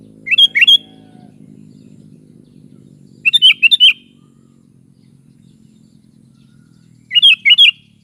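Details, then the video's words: Sooty-headed bulbul (kutilang) repeats the same bright, bubbling phrase of three or four upslurred notes three times, about every three seconds, with a low humming background between phrases. "SUARA BURUNG KUTILANG"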